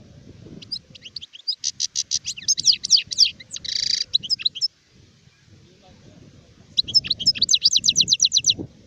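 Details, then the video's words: Adult goldfinch song from 2019, a lively run of rapid, evenly pulsed high chirps and a harsh buzzy note, a brief silence, then another fast series of crisp repeated twitters. "تغريد حسون كهل (شارف)"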